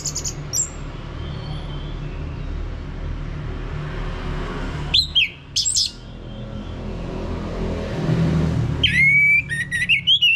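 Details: Lure recording of orange-headed thrush ngeplong song for prompting a male: brief high whistles, a pair of strong slurred notes mid-way, then a closing burst of quick, varied whistled phrases, all over a steady low traffic-like rumble.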